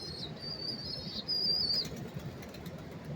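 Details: Close recording of rock pigeon chicks begging in New York City, September 5, 2023: two drawn-out, high whistled squeals, the second brighter and slightly falling, with low traffic noise beneath.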